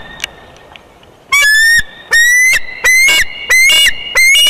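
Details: An adult Bald Eagle at its nest in Big Bear Valley, on 2021-02-24 during its second clutch, gives loud, thin, squeaky whistled calls with upward-sliding notes in five quick bursts as an immature Bald Eagle buzzes the nest.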